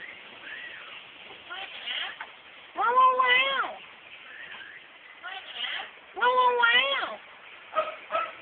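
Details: Pet female myna mimicking words often said around the house: two loud, rich, harmonic, wavering speech-like phrases about three seconds apart, with softer murmured sounds and short chirps between.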